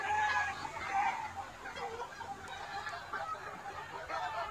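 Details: Mixed fighting-breed, bantam and crossbred chickens roam a large garden yard in daytime, eating greens and hunting insects. Irregular clucks and short cackles overlap, with some faint human voices in the background.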